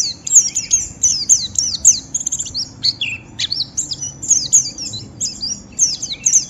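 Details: Continuous ngeriwik chatter from a white-eye, sung to push other white-eyes to sing along: dense, shrill, very high chirps and downward squeaks pouring out in rapid, rhythmic bursts with little pause.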